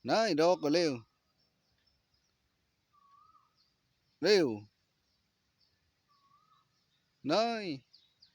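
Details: A Thai bantam rooster practising crowing for a best-voice contest gives a quick, choppy crow, then two shorter hoarse crows about three seconds apart, with faint small chirps in between.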